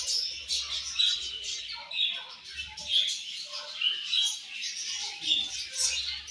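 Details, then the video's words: Morning feeding time in a budgie colony: busy warbling chatter with short whistled notes and scratchy chirps, many birds calling at once. "Budgies Morning Food And Chirping Sounds"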